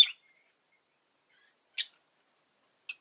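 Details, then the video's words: Pet rosy-faced lovebird giving three short, sharp, high chirps spaced over about three seconds. The first is loudest, and quiet pauses separate each call. "Lovebird Chirping Sounds"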